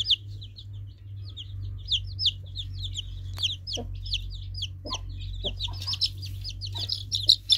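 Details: Young chicks peeping in a group, rapid high downslurred cheeps overlapping, growing busier toward the end, with a constant low electrical hum and a few deeper clucking notes.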